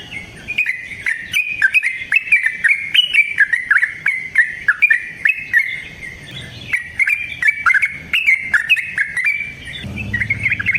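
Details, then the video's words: Yellow-vented bulbul (trucukan) singing a long, vigorous wild-style song offered as a lure for other bulbuls: continuous bubbling, chattering phrases of quick rising and falling notes, with short sharp clicks, repeated without pause for eleven seconds. "Trucukan GACOR ngalas ROPEL PANJANG suara alam AMPUH buat pancingan"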